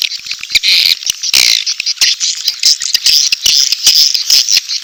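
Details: Swiftlet courtship and chick calls for attracting birds to a swiftlet house. Pulsing high buzzy chatter broken by sharp clicks and short louder bursts.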